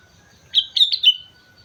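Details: Sooty-headed bulbul singing vigorously on Mount Slamet: three quick clear whistled notes, each slurring slightly downward, the last trailing off lower, with a faint steady hum underneath.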